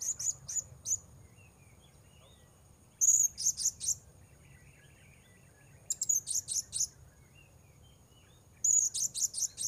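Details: Luring session for wild blue-crowned hanging parrots: clusters of piercing, very high notes, the first in each run longest, recurring roughly every three seconds, with scattered fainter chirps between.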